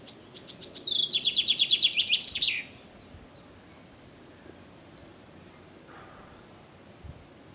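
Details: A common chaffinch, heard on a walk in Caputh, sings one bright, rattling phrase of about two seconds, a run of quick repeated notes closing in a flourish, followed by quiet.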